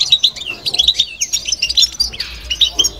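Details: Babtaba twitter of a caged European goldfinch: continuous bright, high chirping notes and liquid trills, with some sliding slurs, tumbling quickly one after another.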